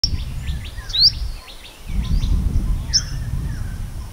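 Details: Purple sunbird (Cinnyris asiaticus) in the morning giving a quick series of thin, high chips and sharp rising squeaks, over a steady low rumble of background noise.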